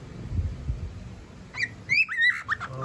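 A cockatiel gives a quick run of clear whistled notes, some rising and some sliding down, after a stretch of low room noise and a person speaking.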